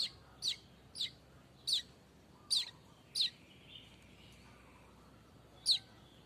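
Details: Streaked weaver in unedited, continuous vocalising: a run of sharp, high, downslurred chip notes about every half second, a short pause, then one more chip over a quiet background.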